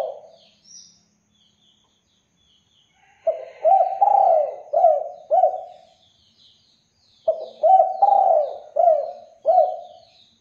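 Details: Lure song of a spotted dove, given to draw replies from other doves: two four-note cooing phrases, soft rolling coos with one stretched middle note, over thin high chirps of small birds.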